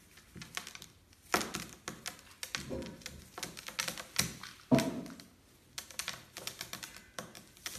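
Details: Irregular dry knocks and thuds indoors, some sharp and some muffled, spaced unevenly with no animal voice heard.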